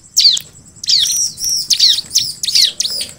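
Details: Separate high, quickly falling chirps from a bar-winged prinia, about five or six phrases roughly half a second apart, each a sharp twittery burst.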